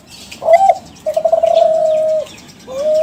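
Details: Caged young Kelantan spotted dove of contest-winning stock, its song a lure for other doves. A brief accented note, then a pulsing start flowing into one long, flat, soft coo, followed by a rising note.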